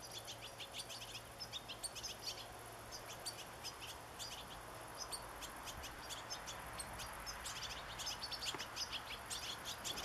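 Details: A family of five young European goldfinches in a garden on 27 August gives a steady stream of thin, high, tinkling twitters and chirps, several birds calling at once over a soft background hiss.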